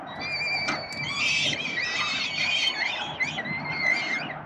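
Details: Peregrine falcon chicks being fed by their father at a nest in Melbourne, Australia, on 30 October 2021: continuous high, thin, wavering squealing cries overlapping from several young.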